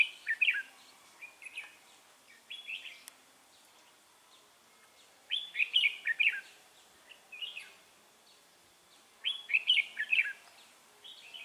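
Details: Red-whiskered bulbul used in trapping, recorded 3 November 2018: short, lively warbled phrases of chirpy slurred notes, delivered in bursts every few seconds with quiet gaps between them.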